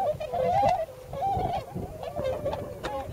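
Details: Flock of wintering tundra swans on farmland near Yasugi, Shimane, Japan: overlapping wavering nasal whoops in a steady chorus, one louder bending call at the start, over a low rumbling background.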